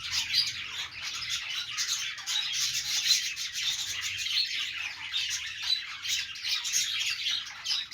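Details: Happy budgerigars, an Australian parrot, during the morning: a harsh, buzzy squawking chatter mixed with rapid chirps, constant and unbroken across the whole stretch.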